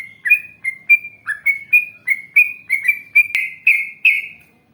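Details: Yellow-vented bulbul in rapid long song used to provoke replies from other bulbuls: a steady sequence of ringing whistled notes, a sharp click near the middle, final notes louder and fuller before fading.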